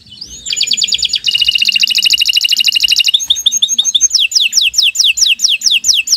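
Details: Canary in long, continuous song: a rising note leading into a fast buzzy trill, then sharp repeated downward-sweeping notes, sung as a training model for other birds.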